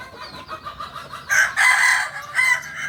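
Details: West Sumatran kukuak balenggek chicken from Solok. A soft, harmonic opening is followed by a loud, strained crow phrase, with a final short rising note as the clip ends.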